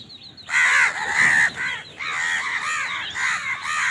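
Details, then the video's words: House crows while eating: long, continuous harsh cawing, calls running together into a drawn-out raucous chorus. "Crow Bird Eating Scenes | Crow bird crowing sound part 88 | Bird Chirping Sound | Crow ki awaz"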